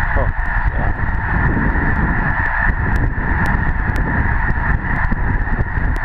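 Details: Snow geese on migration at Lake Herman near Madison, South Dakota: a dense, unbroken chorus of many honking birds blending into a steady roar, over heavy low wind rumble.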